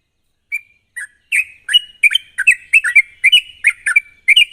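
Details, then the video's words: Yellow-vented bulbul (trucuk) in lively, sharp rapid song used as a lure recording: a lone note, then quick bubbly chattering phrases of short warbled notes, slurred up and down, speeding into a near-continuous run. "pancingan burung trucuk gacor ropel tajam"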